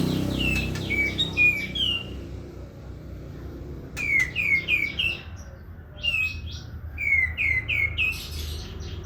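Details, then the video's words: Energetic prinia song in several bursts of three to five sharp, descending whistled notes, each phrase slurring downward, separated by short pauses; faint low rumble underneath. "Katem gacor besetan di ahir"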